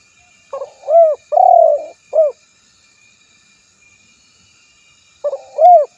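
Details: Spotted dove cooing in two phrases: short hooked notes, an arched coo, a long buzzy coo and a clipped final note, then a pause and the phrase beginning again.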